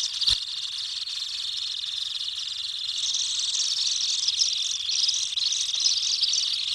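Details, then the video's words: Common kingfisher calling from within the nesting burrow, a steady high, hissing, buzzy rasp that rises in intensity after about three seconds and continues with irregular pulsing; a single click near the start. "Hlas ledňáčka (Alcedo atthis), Kingfisher"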